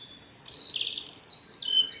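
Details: A male Japanese robin at Yanagisawa Pass, Japan, on 26 May 2019 gives two high, buzzy, trilling phrases about a second apart, thin and metallic, against a quiet background.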